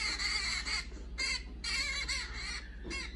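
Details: Orange-fronted parakeet (Eupsittula canicularis), apparently a pet watching YouTube videos, giving harsh, grating screeches in four bursts, the longest nearly a second, over a steady low hum.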